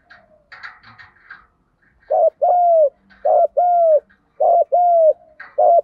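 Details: Spotted dove 'gù đấu' fighting coo, played to stimulate new decoy birds: after soft knocks, a steady series of low paired coos, a short clipped note then a longer smooth falling one, each pair about a second apart.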